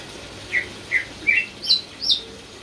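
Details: Caged champion greater green leafbird, a prize-winner singing constantly with 'isian' filler phrases, gives five short, sharp, high chirps about every 0.4 seconds, each slightly higher than the last, over a quiet background hiss.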